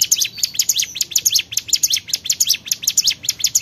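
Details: Short burst of Bar-winged prinia song, piercing high chirps strung rapidly together at a regular pace.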